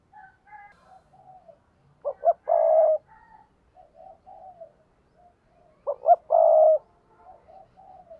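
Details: Repeated spotted dove coos of the "thúc bổi" luring type, aimed at wild doves. Two loud phrases come about four seconds apart, each with clipped notes and then a long hoot. Soft low cooing runs between them.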